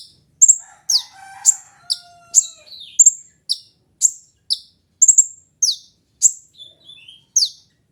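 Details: Kolibri ninja sunbird chirping insistently, sharp high notes falling in pitch and repeated about twice a second, with softer lower whistles in the opening seconds.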